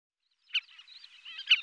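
Collared pratincole giving two sharp, harsh, tern-like notes about a second apart, joined by a softer rasping chatter. No other sounds are heard.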